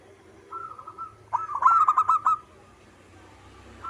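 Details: Local zebra dove singing actively: a faint run of soft cooing notes, then a loud, rapid, rolling string of staccato coos about one second long. Low background hum throughout.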